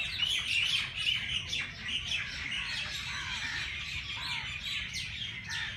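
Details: Birds twittering early in the morning at Lahore's Race Course Jilani Park, rapid chirps stacked over one another, loudest at the start, with some lower curved notes beneath.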